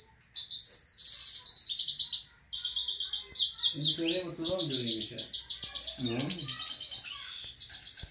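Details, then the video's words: Himalayan goldfinch singing together with a canary: quick, high twittering song with liquid trills and buzzy notes mixed with canary song. A low voice-like sound breaks in twice midway. "goldfinch singing with canary"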